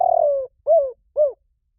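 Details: End of a spotted dove lure call: a long purring coo sinking in pitch, followed by two short arched coos about half a second apart, in quiet surroundings.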